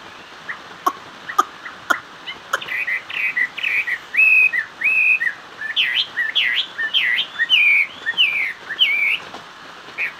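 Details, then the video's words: Chinese hwamei in song: a few sharp clicks, then loud varied whistled phrases, rising and falling slurs and repeated looping notes, over a steady background hiss. "Họa mi hót xòe"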